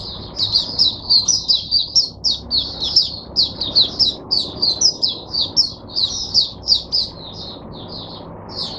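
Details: Oriental white-eye singing in captivity on 22 January 2022 to teach other white-eyes: a continuous stream of quick, bright, high chirps, roughly three to four notes per second, with no pauses.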